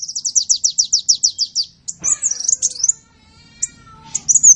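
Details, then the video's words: Sunbird song used for training songbirds: a quick run of high repeated downslurred notes, then a jumbled twitter with a faint lower tonal sound, and scattered high chips. "Masteran burung Kolibri"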